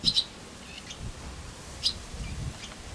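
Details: Barn swallows at their nest in early morning during egg-laying, a fledged chick occupying the nest as the female lays her second egg; short high chirps near the start, then scattered faint twitters over steady background hiss.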